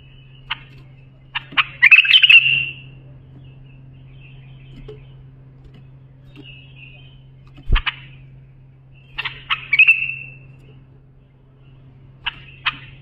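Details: Bulbul song used for training young bulbuls: short bursts of bright chattering notes with buzzy rising flourishes, heard in clusters a few seconds apart over a steady low hum.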